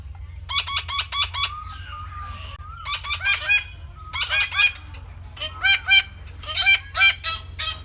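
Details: Red-breasted parakeet producing rhythmic bursts of grating, nasal squawks, four or five notes per burst, with faint thin whistles between bursts and a low constant hum.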